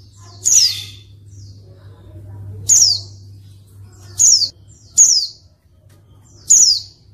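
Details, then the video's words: A female white-eye, used to provoke reluctant males into singing, gives five thin, high, sharply falling 'tseeu' notes at irregular one-to-two-second gaps, over a faint low electrical hum. "pleci betina untuk pancingan pleci malas bunyi"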